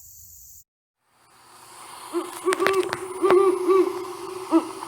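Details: Great horned owl, played as an example call during an owl talk in Northern Virginia, giving low, soft hoots in a quick uneven series, over sharp clicks and some clapping.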